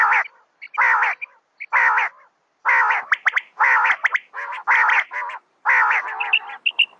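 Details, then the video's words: Calls of a female common quail: grating, nasal bursts roughly once per second, followed by quicker clipped notes and a few thin high squeaks. "Raat Ki Liye Batair Ki Awaz | Batair Ki Awaz | Common Quail Calling | Female Quail sounds 2020"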